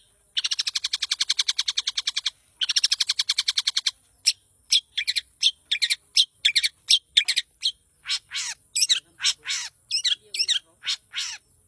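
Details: Long-tailed shrike singing energetically. Opens with two long, dense, rapid buzzy trills, then switches to a varied sequence of sharp, high, scratchy chirps and rising and falling notes delivered in quick succession.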